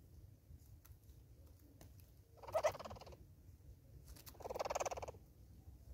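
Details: Southern red-billed hornbill visiting a bird feeder in South Africa: two bursts of rapid, pulsed clucking, the second longer and swelling louder, each lasting under a second, with quiet low rumble between.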